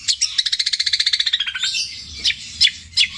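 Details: Caged long-tailed shrike mimicking other birds: a fast even trill of high notes sliding gently downward, then a few sharp, separate high chips.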